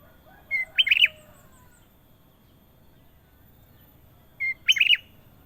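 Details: Sooty-headed bulbul (kutilang emas) in clear, long gacor-style singing: a short steady whistled note, then a quick bubbly, warbling phrase. The pattern repeats about four seconds later over a quiet background.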